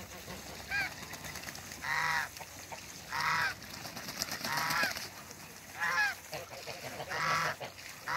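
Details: A pair of African geese on a farm in Skydra, Greece, during an attempt to introduce them to each other; loud, nasal, harmonic honks repeated roughly every second or so, about seven calls, with faint background rustling.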